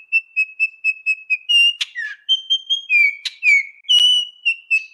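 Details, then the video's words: Altamira Oriole singing a run of short, evenly repeated whistled notes at a steady pitch, then richer slurred whistles broken by sharp clicks. "00:27 Altamira Oriole"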